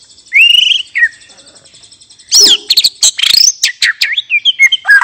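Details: White-rumped shama, a relaxed open-voiced song used to coax other birds into singing: a rising whistle and short note, a pause, then a dense burst of sharp chips, swoops and twisting whistles over a high buzzy trill.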